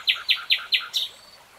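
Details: Four loud, evenly spaced sharp notes, each with a lower echoing tail, followed by a brief higher note, typical of a nightingale song phrase, in a quiet natural setting.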